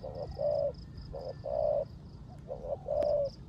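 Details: In the rain, a caged spotted dove used as a decoy gives 'rước gù' coos: a short note then a longer smooth coo, three times in quick succession, backed by steady rain and a high pulsed buzzing.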